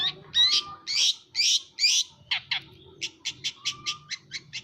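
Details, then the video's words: Long-tailed shrike in energetic song, opening with loud harsh rasping notes, then a series of short clipped high chips repeated about twice a second, with faint low background rumble. "burung peentet gacor pisan"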